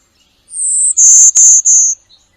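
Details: A Golden-winged Warbler, a thicket-nesting spring warbler of the Chippewa Valley, gives its nasal 'golden wing wing' song: a high, thin buzz followed by three slightly lower buzzy notes in quick succession; otherwise quiet.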